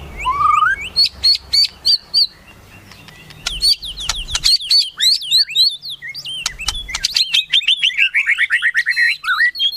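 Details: White-rumped shama singing a melodious, varied song: a rising whistle, clipped high notes, then scratchy twittering phrases that build into a rapid, jumbled warble near the end.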